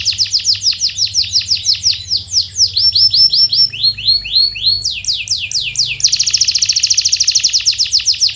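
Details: Canary singing a lure intended to start silent canaries: tours of swept notes changing speed, a few arched syllables, then a fast buzzing trill to the end.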